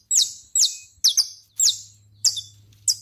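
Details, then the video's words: High, clear chirping from a saffron finch in a natural setting: strong, sharply descending notes, some doubled, repeated roughly every half second over a soft low hum. "canário da terra"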